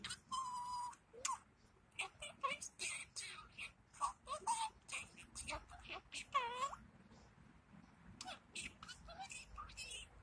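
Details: Male pet budgerigar, sleepy and talking slowly, outdoors in a food container on a warm February day: a burst of chirps, clicks and whistled notes imitating "Happy Birthday".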